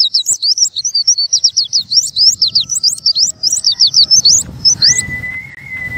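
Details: Oriental white-eye in rapid high twittering song used to make birds open their beaks: dense zigzag chirps for about five seconds, ending in a long, steady, lower whistle.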